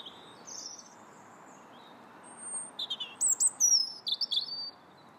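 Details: January robin song: a soft opening phrase, a pause, then a loud sequence of high thin whistles, sharp downslurred and upslurred notes trilling in quick succession, with light steady background hiss.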